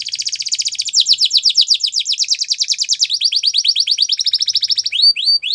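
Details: Belgian canary singing a training song: a long, very fast rolling trill of clipped notes that changes tempo midway, ending in a few looping whistled chirps.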